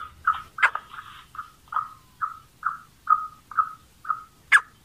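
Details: Black francolin call used to draw in and excite other francolins: a steady series of short, mellow, clipped notes about every half second, with a sharper louder note near the start and the end.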